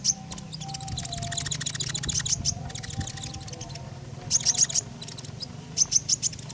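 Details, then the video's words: Common iora in lively song, used as a lure to draw other birds: a busy stretch of high chirps, then two sharp clusters of quick, thin, very high notes near the end, all over a low background hum. "Burung KONIN Gacor, Sangat Cocok buat Pancingan"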